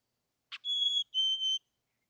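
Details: At a wild nest cavity near Emigrant, Montana, 18 June 2022, a chickadee gives a brief click then two sustained pure whistles, the second slightly lower, in an otherwise silent setting.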